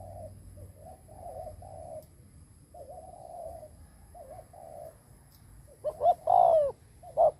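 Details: Decoy spotted dove cooing to lure wild birds. Soft, distant wavering coos run through most of the recording, then a loud, close two-part coo with a long falling note sounds near the end.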